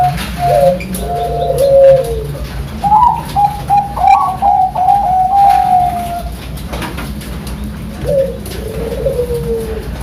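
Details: Caged zebra dove of the Bangkok strain, kept by a breeder in Sidoarjo, East Java, sings its contest-style cooing: rhythmic trilled coos in phrases with brief gaps, over a steady low hum.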